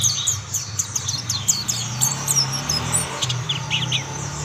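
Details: Mountain white-eyes singing as others join in; rapid high twitters in the first half, then a few scattered chirps and lower chip notes, with a steady low droning hum.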